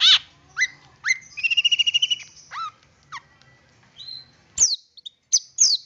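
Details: Long-tailed shrike song used to coax other shrikes into singing: scattered down-slurred whistles, a quick trill of about nine pulses, then sharp, high, upward-flicking notes with pauses between.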